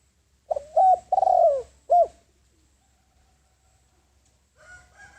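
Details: Spotted dove decoy calling to lure wild doves: one phrase of three mellow coos, the middle one long and falling, followed by silence and a faint thin tone at the end.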